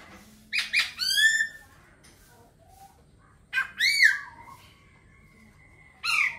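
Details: Laughingthrush song of loud, ringing downslurred whistles in short bursts several seconds apart, linked by a thin sustained high tone.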